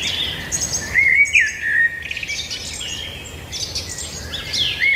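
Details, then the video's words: A chorus of singing birds: bright descending whistles and twittering chirps overlap continuously, with one clear downward-slurred whistle near the start and more chirps later, above faint low background noise. "birds singing"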